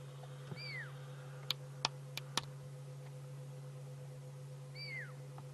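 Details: Fork-tailed drongo copying the territorial call of a pearl-spotted owlet, heard on an afternoon game drive in Sabi Sands, 26 June 2016; two high whistles that drop steeply, four seconds apart, with clicks and a constant low vehicle hum.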